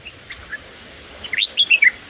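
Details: Black-headed bulbul chicks in the nest on the first day of feeding by their parent give a quick burst of five or six thin, high chirps, each sliding up and down, after a few faint earlier peeps.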